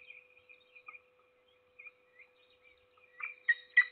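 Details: Peregrine falcon feeding its only chick, Trzebież Forest District, Poland, 7 May 2022; sparse soft high peeps, then three rising loud harsh squeals at the end, constant low hum behind.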